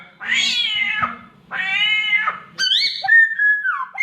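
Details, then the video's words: Samyong bird imitating a cat's mating call: two long, drawn-out, wavering meow-like wails, then sharp whistled notes sliding down at the end. A faint low hum runs underneath. "SAMYONG MENIRUKAN SUARA KUCING KAWIN"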